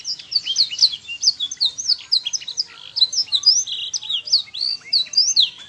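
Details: Tutor canary song, played over and over so young birds begin singing sooner; bright high twitters and quick upslurred whistles tumble along continuously in fast, uneven bursts with no other sounds present.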